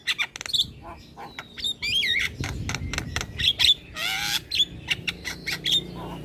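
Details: Caged Javan myna singing with head-bobbing: rapid clicks and whistled slurs, a long harsh rasping burst in the middle, over faint low background rumble.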